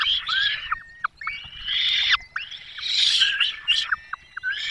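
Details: Peregrine falcons at a nest in the Barycz Valley, Poland, on 5 May 2022, as the male brings a small bird and the female feeds the chicks; harsh, overlapping screeching and thin high whines with short pauses.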